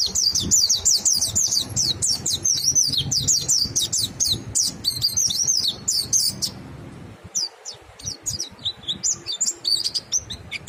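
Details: White-eye in full ngalas song, prompting other white-eyes to join in: a fast, dense cascade of shrill, thin twittering notes for about seven seconds, then scattered high chirps with brief pauses.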